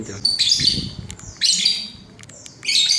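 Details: Lovebird chirping 'cit cuit', used to get a pet lovebird to answer: bursts of high, squeaky chirps and short twittering notes, repeated in three clusters with quieter pauses between them.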